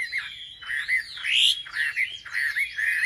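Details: Wambi singing to provoke other wambi birds. Fuller, slurred whistles swoop upward and drop back, in phrases separated by short silences, with a rich rising note near the middle.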